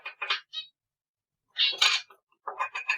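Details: An indoor cockatiel perched on a curtain bar gives short bursts of chirpy, buzzy warbling in three bouts with brief gaps, in an otherwise quiet room.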